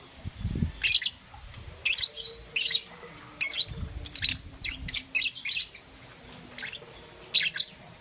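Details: Young peach-faced lovebird, green and yellow, chirping in the morning: short, crisp, high chirps spaced irregularly, sometimes in quick pairs, with low thumping noises early on and a faint hum.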